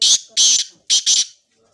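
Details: Sindhi 'sheedi' black francolin of a fighting line: four loud, rasping, hissing notes in two quick pairs, harsh and high-pitched, with near silence after.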